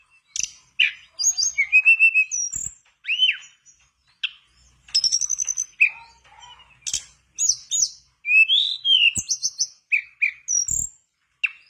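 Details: Mangrove blue flycatcher song meant to draw a silent bird of its kind into singing: scattered whistled phrases, rising and falling slurs, short rattles and sharp chips with small gaps between bursts.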